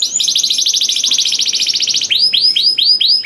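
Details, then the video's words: Canary song used as a master recording to prompt other canaries to sing: a fast buzzy trill of rapid repeated notes, then a series of loud rising-falling whistled swoops repeated about every quarter second. "DENGAR SUARA KENARI DI JAMIN KENARI NYAUT SEKETIKA"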